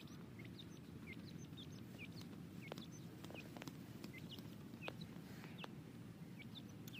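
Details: Young grey francolin chicks being tamed, giving thin, high peeps that drop sharply in pitch, repeated roughly twice a second, soft against a steady low background hum.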